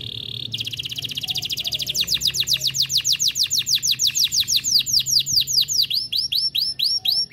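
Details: Canary (F1 Yorkshire type) sings a high, buzzy trill, then a long run of rapid, sweeping whistled notes, several each second, with a faint low hum underneath; used as a masteran (tutor) song.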